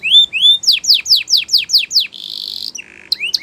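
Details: Spanish Timbrado canary singing for training canaries: rising whistled notes, then a rapid series of descending sweeps, a buzzy metallic trill, a lower rattling roll and final upslurred whistles.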